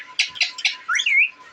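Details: April 28, 2024 recording of a deshi parrot: three quick raspy clicks, then a slurred rising whistle that curls downward, over a steady background hum.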